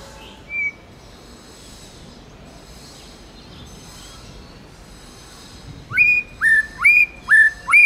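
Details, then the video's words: Tame White-rumped shama in 'forest voice' song. A single whistle comes first, then a long quiet gap. The song ends with five loud upslurred whistled phrases, each repeated about every half second. "Chích chòe lửa hót giọng rừng hay"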